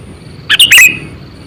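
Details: Sooty-headed bulbul serving as a lure bird for catching others, giving one brisk phrase of clustered high chirps ending in a longer bright note, over a soft background.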